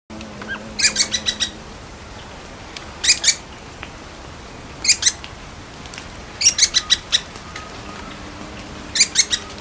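Little Woodpecker giving sharp, high chips in quick bursts of three to six notes, repeated every couple of seconds, over a faint low hum.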